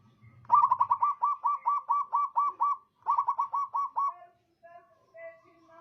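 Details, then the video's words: Local zebra dove, a lively caller used as bait to excite rival doves. A low rumble leads into two long trains of quick, mellow coos, about five per second, followed by faint, drawn-out softer tones. "Perkutut lokal gacor suara merdu gampang nyaut"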